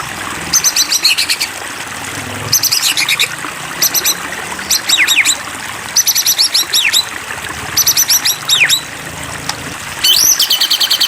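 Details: White-rumped shama provoked into song, giving repeated bursts of very high rapid chattering notes and downslurred whistles separated by brief pauses, over a steady flowing water background.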